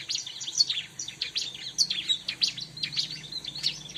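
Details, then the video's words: Bar-winged prinia sound used for luring the species: continuous, jumbled high twittering of quick chirps and short trills throughout, steady in volume. "suara burung ciblek"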